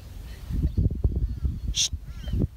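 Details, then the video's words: Pet bird, upset after being pushed away from another bird it was crowding, gives a sudden harsh, broadband squawk with a brief rasping note beside it, over low thumping handling noise and a person's voice. "When your Bird Malfunctions"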